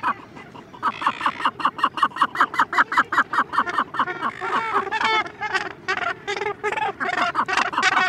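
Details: Cape gannet chick, recorded close-up, begs with rapid, harsh, repeated calls, about two or three each second, while distant adults in the background give occasional louder, grating calls.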